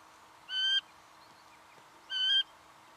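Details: Two separate harmonic, slightly rising nasal notes about one and a half seconds apart from a singing honeyeater, recorded in Victoria, Australia, November 2011.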